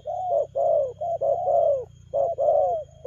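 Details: Rapid spotted dove cooing, quick-tempo style: about five mellow, throaty coos in three seconds, each gently falling, run closely together with a brief gap in the middle and faint low hum beneath.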